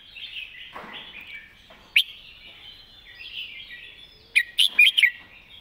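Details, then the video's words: Red-whiskered bulbul repeating its master-song pattern, plainly phrased: soft continuous twittering, then a single sharp note, and finally a loud, quick run of four punchy whistled notes near the end. "วางสำนวนชัดๆ"เดินเพลงแม่บท ชัดถ้อยชัดคำ#นกกรงหัวจุก #เสียงนกกรงหัวจุก"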